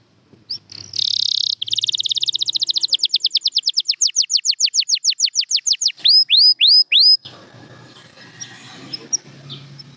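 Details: Champion canary, Gloster canary among the birds featured, sings a fast rattling trill that slows into distinct falling notes and ends with four loud curved whistles, then faint background noise.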